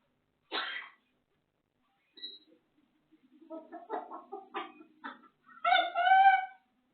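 An African grey parrot gives a harsh cough-like burst, a brief high whistle, a run of chattering syllables, then a drawn-out, meow-like cry.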